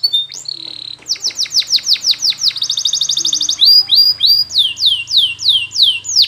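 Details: Belgian canary performing a training song: repeated downslurred whistles, a quick bright trill, then more loud falling sweeps in a steady rhythm.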